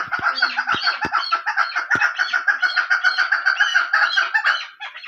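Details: Hunting female chukar giving a continuous, fast chattering series of harsh clucks with little pause. A few sharp clicks and knocks are heard early on.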